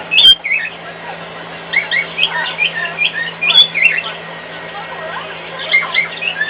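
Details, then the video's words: Caged pet cockatiel singing to a hairdryer used in a nearby room, a sharp click at the start, then a long run of twisting whistled phrases and chirps, with the hairdryer's constant low drone underneath. "singing to a hairdryer in the next room"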